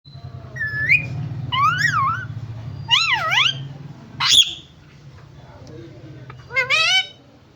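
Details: Pet parrot, a cute talker, giving a series of loud looping whistles that swoop up and down, a sharp rising squeak, then a final ascending whistle, over a steady low hum.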